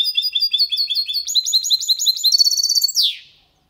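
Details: Caged goldfinch × canary hybrid in clean song, used to stimulate females and tutor young goldfinches and hybrids: quick high twitters, then a fast buzzy trill of repeated notes, ending in a sharp falling downslur.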